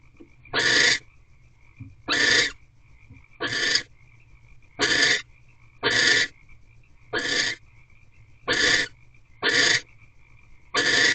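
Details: Nest-box barn owls before dawn, 17 March 2023, during prey delivery and mating on the 27th night; short, sharp hissing screeches repeat regularly, about every 1.3 seconds, over a quiet background.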